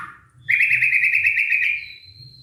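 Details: White-rumped shama lure song aimed at a stressed bird that has stopped singing: a single sustained buzzy trill lasting over a second, followed by a thin, steady high whistle.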